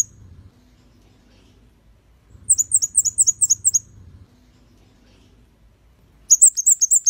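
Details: Red-headed bunting singing a quick run of about seven high, sharp chirped notes, then a second burst, over a faint low hum; recorded as a training song for cage birds.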